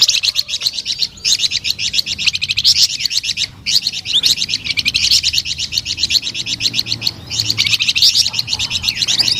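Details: A prolific flamboyan bird delivers long phrases of very rapid, high, sweet chirping, pausing only briefly between bursts across nearly ten seconds.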